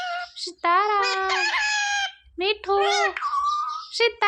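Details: Talking parrot kept as a pet, said to call mummy and papa; long, nasal, voice-like syllables with many stacked overtones, held and wavering, broken by brief squeaks and short pauses.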